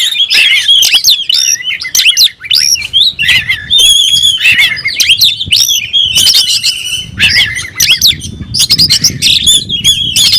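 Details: Kacer, the oriental magpie-robin, in full song as if seeking a rival, a dense, continuous stream of shrill whistles, squawky notes and quick chirps, loud and varied with few breaks.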